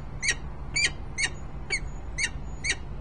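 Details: Harrisburg, Pennsylvania peregrine falcons, male 38S with his mate, December 2020. Six evenly spaced, abrupt rasping notes come roughly twice a second, each with strong overtones, over a steady low background hum.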